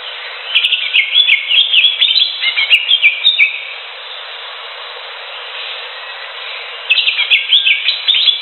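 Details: Greater green leafbird in the wild pours out a long, rapid chatter of mixed high whistles and chips for about three seconds, falls quiet, then resumes with a similar burst.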